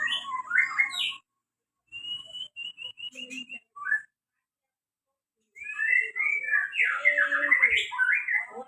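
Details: White-rumped shama in full song that answers anything: rich varied whistled phrases, a string of evenly repeated clear notes, then a long loud tumbling run of warbled and slurred whistles.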